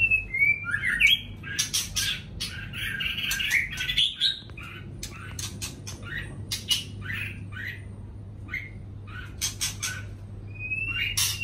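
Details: White-rumped shama in morning song, delivering varied whistled and warbled phrases almost continuously, some notes swooping upward, interspersed with many hard clicks and snapping noises.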